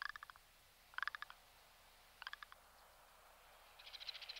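Rock ptarmigan giving dry, clicking rattles in four short bursts of rapid ticks, each about a third of a second, spaced a second or so apart.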